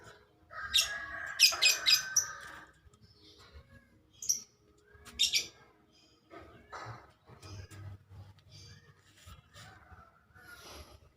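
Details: Woodpecker from Sampit, described as very vocal: a burst of loud, harsh, rapidly repeated squeaky notes, then scattered shorter chirps and quieter calls with gaps between them, over a faint low rumble.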